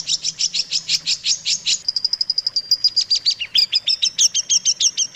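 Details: Long-tailed shrike song used as a training master song: rapid high chattering notes, about three a second, shifting to thin sustained whistles and then scratchy varied phrases, over a faint low hum.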